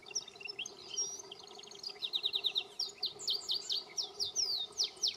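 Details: A canary living free in the wild forest sings bright, high twittering phrases, then a quick run of repeated chirps, about four each second, over a faint steady low hum.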